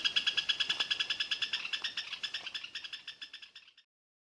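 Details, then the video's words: Great xenops, a caatinga endemic of Brazil, singing nonstop in the wild: a fast series of about two dozen sharp, high chipping notes, gradually softening and slowing over four seconds before stopping. "Bico virado da caatinga (Megaxenops parnaguae) - Cantando sem parar em vida livre"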